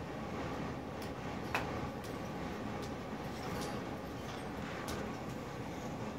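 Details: Quiet indoor room tone with low rumble and a few faint ticks and clicks, no animal voice standing out.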